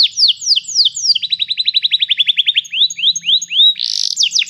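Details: A canary sings a training song: several falling whistles, a long rapid series of short sharp notes, then slower rising sweeps and a brief harsh burst before quick falling notes resume.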